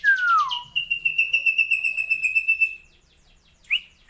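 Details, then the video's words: Kept Asian glossy starling (raja perling) singing a varied, rich song: a loud, clear downslurred whistle, then a long buzzy trill of rapid pulses held steady, and two short sharp upward notes after a pause. "BURUNG RAJA PERLING ISIAN MEWAH UNIK"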